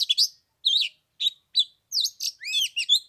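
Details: Oriental magpie-robin on the third day of Tet at 15 degrees, singing to lure a rival into a fight: short varied phrases of chirps and wavering whistles, building into fast tumbling warbles.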